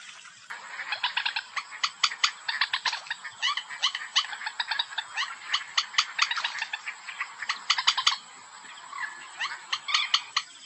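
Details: White-breasted waterhen calling, played as a hunting lure: a long, dense series of harsh, rhythmic croaking notes repeated several times per second, almost without pause.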